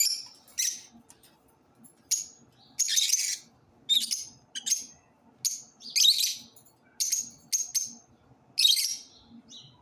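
Lovebirds chatter in shrill, harsh, high chirps and squeaky bursts, several per second in short runs, with a faint low hum beneath.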